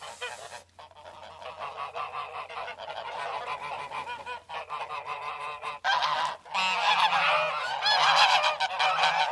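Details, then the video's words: Geese honk and scream in a harsh, brassy chorus of overlapping calls, with a loud burst near the end. "How geese scream/goose sounds"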